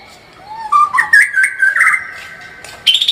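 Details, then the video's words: Brief white-rumped shama phrase: a quiet rising whistle leads into a cluster of warbled mid-pitched notes, a held whistle, and a sudden high buzzy burst at the end. "kicau murai batu gacor full tembakan"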